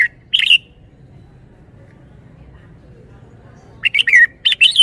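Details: Clear, whistled notes from a red-whiskered bulbul open the recording, then a quiet stretch, then a lively run of warbled notes rising and falling. Its song is noted for good phrasing and style.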